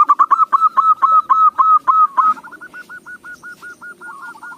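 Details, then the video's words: Local zebra dove singing, a voice suited for use as a lure: loud, rapid cooing notes repeated about three times a second, then a softer series of clipped, even, hooked coos continuing steadily to the end. "Perkutut lokal suara cocok buat pancingan"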